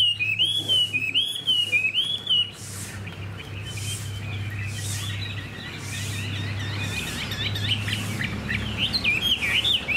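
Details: Caged hwamei with a spread tail, described as well-tempered with a fine voice. Clear rising-and-falling whistled phrases open the clip, then a dense, busy run of varied chattering notes over a steady low mechanical hum.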